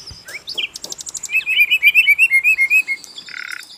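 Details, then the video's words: Asian brown flycatcher singing on a training recording: a few sharp high notes, then a rhythmic series of about a dozen bright chirps at roughly four per second. "MASTERAN BURUNG SIKATAN LONDO GACOR"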